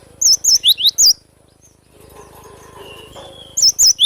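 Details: Two short phrases of energetic cinereous tit song, each a quick string of high, rising and falling whistled notes, with a quiet gap and a faint lower whistle between them.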